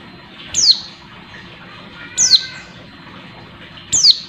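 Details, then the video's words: Oriental white-eye female giving calls meant to rouse a male, three high, piercing downslurred chirps spaced roughly 1.7 seconds apart, each brief and sharp, with faint low hum behind. "pleci betina buat menaikan emosi pleci bahan"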